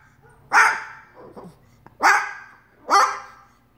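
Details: A pet umbrella cockatoo barking at the neighbour's dog gives three harsh, dog-like barks, roughly a second apart, with a softer throaty sound between the first two.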